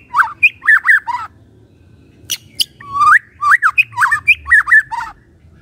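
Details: White-rumped shama singing a morning lure song meant to provoke silent shamas into singing: loud, clear whistled phrases sliding up and down, broken by sharp clicks and a short pause midway.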